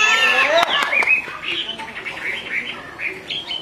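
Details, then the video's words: Female Chinese hwamei calling repeatedly with an agitated male nearby; a loud burst of layered, stacked notes opens, then softer, wavering whistles continue at a quick pace. "Họa mi mái xùy liên tục, họa mi trống không yên"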